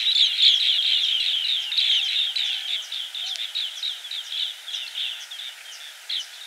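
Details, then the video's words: High trilling chirps of green bee-eaters, loud and dense at first, then thinning into separate chirps that fade toward the end. "Green Bee Eater Call | বাঁশপাতি পাখির ডাক | Bee Eater Bird Sound | Banspati Pakhir Dak"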